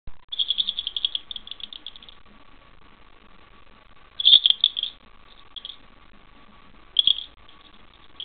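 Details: Pet parakeet indoors imitating a bell while wrestling with a thumb; tinkling, rattling high jingles in quick trills, a long run at the start then two short loud bursts later.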